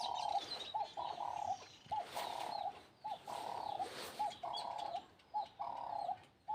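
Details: Wild doves cooing in soft, hollow, mid-pitched notes in short repeated phrases about once a second, faint chirps of other birds behind, early morning at sunrise in a rural Kenyan village home compound during milking.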